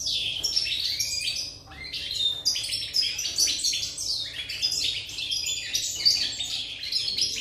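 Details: Song of a European goldfinch, recorded 8 November 2019. It is a rapid, bubbling run of bright chirps and twittering notes with a brief dip near two seconds, then lively chattering again, with a faint hum beneath.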